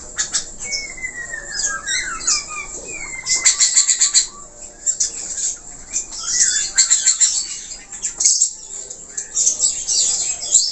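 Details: Budgerigar song: a long descending whistled glide and chirps early, then dense rapid scratchy chattering bursts, with sharp clicking notes, continuing to the end.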